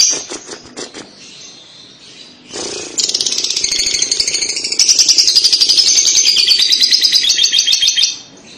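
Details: Lovebird kekek song for prompting a young bird to sing, starting with a few clicks and then building into a long, loud, fast trilled chatter of shrill notes.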